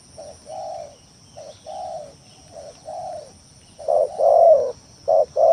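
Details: Spotted dove lure song, played to provoke rivals and prompt reluctant doves into calling: repeated low mellow coos, some louder two-part phrases near the end, over a steady faint high electronic whine.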